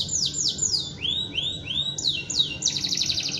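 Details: A canary sings long, sustained bursts of fast, high phrases: three quick falling sweeps, three rising-and-falling notes, more falling sweeps, then a rapid rattling trill.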